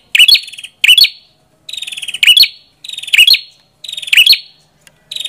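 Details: Bright, strident phrases from a Prenjak kepala merah: a drawn-out buzzy trill sliding slightly downward, then clipped, ringing chip notes. The phrases are repeated back to back with brief silent gaps.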